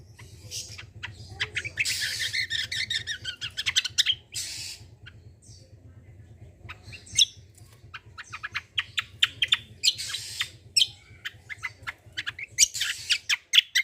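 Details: Long gacor besetan sequence from a cucak kombo, meant to lure untrained birds into song: dense harsh chattering, rasping bursts and rapid sharp notes over a low humming background.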